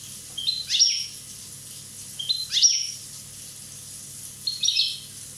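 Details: European goldfinch, a one-year-old Corsican bird: three short, bright twittering bursts about two seconds apart, each a quick cluster of high chirped notes, over a steady faint hiss.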